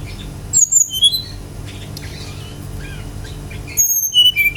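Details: Brown-chested jungle flycatcher lure song: a short run of high whistled notes at the start, a long quiet stretch, then another quick series of clear descending whistles.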